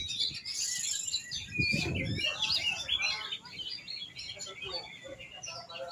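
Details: Rapid twittering and whistled song from an oriental magpie-robin, interrupted briefly by a short low thump or voice-like burst.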